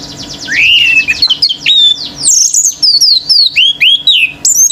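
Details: Male orange-headed thrush in vigorous song, provoking other birds: loud, varied phrases of rising and falling whistles, then rapid high, sweeping slurs repeated almost without pause.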